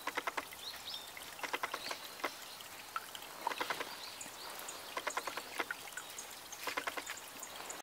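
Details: Male Brambling in bright winter plumage, more wary than females, giving short bursts of quick, dry ticking notes every second or two, with a few faint thin whistles and soft outdoor noise.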